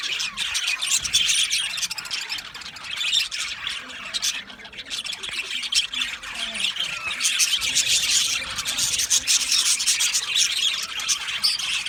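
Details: Aviary colony of male budgerigars on 8 December 2025. Many birds chirp and squawk at once, giving a steady, bright, overlapping twitter that swells and fades slightly across the recording.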